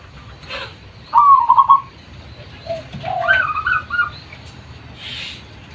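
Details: Local zebra dove, natural voice used as a lure: one short, purring trilled coo, then a scatter of softer, higher fluttering notes and a lower brief note, with quiet background between.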